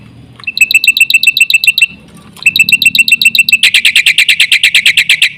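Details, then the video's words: Black-winged myna (jalak putih) singing energetically as a lure for other mynas: two bursts of evenly spaced, sharp ringing notes, the second speeding into a loud, rough, rapid chatter, over a low background hum. "suara jalak putih gacor full isian sekali pancing burung jalak satu rumah ribut gacor"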